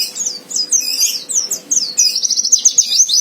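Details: Provoking fighter song from a white-eye: varied high, slurred chirps flowing continuously, ending in a quick, regular run of sharp notes.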